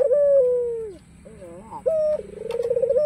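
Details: White ringneck dove with a black collar, cooing to invite rivals to call: a long warbling coo sliding downward, then a brief rising laughing trill and a second sustained, pulsing coo.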